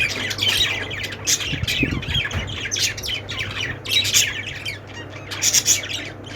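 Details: Budgies and lovebirds chirping: dense, overlapping scratchy chatter and short squawks come in bursts over a steady low hum.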